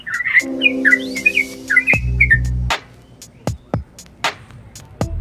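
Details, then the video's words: Yellow-vented bulbul calling back and forth with another bulbul species, giving quick, bubbly chirps, then sharp clicking notes at an uneven pace, over steady background music. "Trucuk Gacor - Nguklik Bikin Emosi yang Lain"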